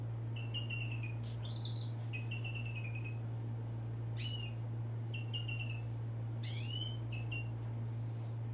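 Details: Unidentified bird giving a series of short clear whistled notes, each sliding slightly downward, some in quick pairs, with one higher upswept note near the end; a steady low electrical hum runs throughout.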